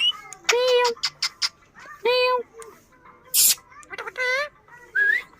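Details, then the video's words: Talking pet parrot giving short harmonic meow-like calls and quick squeaky notes, with a brief hiss partway through and a rising whistle at the end. "Mera Tota katna acha bolta hy Funny parrot"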